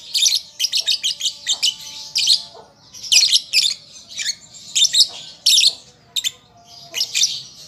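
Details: {'caption': 'A juvenile lovebird practising its song gives rapid strings of sharp, scratchy chirps, some in quick clusters and others spaced apart. The squeaky notes are bright and high-pitched, with soft steady hums in the background.'}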